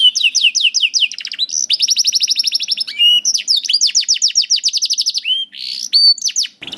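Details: Canary master song for training young canaries and slow-singing birds to sing: fast rolling trills of down-slurred whistles, buzzy sustained phrases and sweeping notes, changing tour every second or so, continuous and loud.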